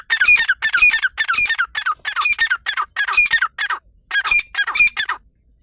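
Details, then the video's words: Grey francolin calling in a loud, continuous series of harsh, screechy rising notes, about two per second, pausing briefly near the end before a final few notes. "Teetar ki awaz"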